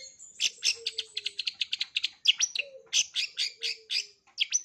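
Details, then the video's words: A long-tailed shrike delivering a full repertoire for learning birds, packed with quick harsh chatter and high thin whistles, plus a soft lower note that slides downward now and then. "Cendet isian lengkap, COCOK untuk CENDET MUDA belajar BUNYI, JITU dan GACOR"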